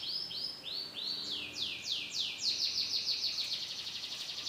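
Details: Canary from Comal, Pemalang, Central Java, singing mixed imitations: a few spaced arching whistled notes that speed up into a rapid trill of repeated high notes.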